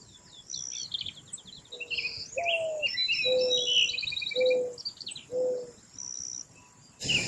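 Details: Mourning dove giving a run of five soft, low coos, the first slightly rising, the rest even and evenly spaced. A dense chorus of high chirps and trills from other birds fills the background.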